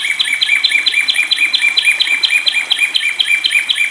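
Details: Bathing long-tailed shrike in vigorous song under water therapy: about fourteen bright, rising chirps in rapid succession, each a quick upward flick, delivered steadily and loudly throughout.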